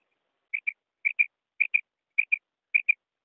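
A female common quail gives clipped, high double notes, 'quip-quip', repeated about every half second against a quiet background.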